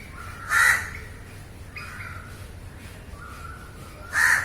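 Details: A crow gives a single loud hoarse caw, then softer flat calls follow before a second harsh caw at the end, recorded live with a low background hum.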